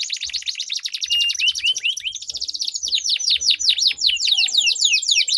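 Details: Duelling canaries deliver a long rolling song meant to set other canaries singing, a rapid buzzy trill giving way to a steady run of sweeping downslurred whistles, several birds overlapping.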